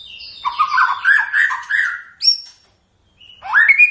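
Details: White-rumped shama pouring out a rapid warbled phrase of rich whistles, a high thin note, a brief silence, then a bright rising whistle.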